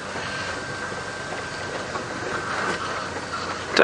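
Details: Steady mechanical rumbling, like a moving vehicle or rail car, continues throughout with a faint tonal hum and a sharp clatter at the end. No animal call is clearly heard.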